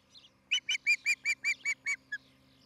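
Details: Osprey at a nest in Charlo, Montana, on a nest camera: a burst of about eight loud, shrill, evenly spaced chirps, followed by one short final note, over a faint low hum.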